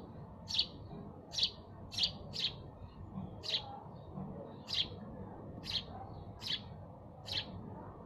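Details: Nine crisp, high chirps from a sparrow arrive in an irregular string, some paired closely and others spaced nearly a second apart, against faint low rumble.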